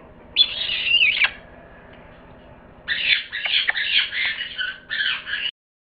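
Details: Parrot uttering a harsh warbling squawk, a pause, then a longer series of rough, grating squawks and chatter that stops abruptly.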